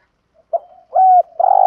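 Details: Spotted dove 'gù thúc' lure call for training doves: a brief cooing fragment with a short note, a longer steady hoot, then a sustained buzzy coo at a similar mid pitch, ending in an abrupt click.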